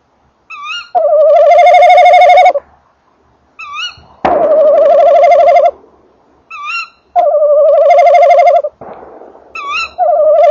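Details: Tawny owl male at the nest box at night while the female calls further away: a regular series of long, vibrating notes, each preceded by a short rising upslurred note, with a knock or bump partway through.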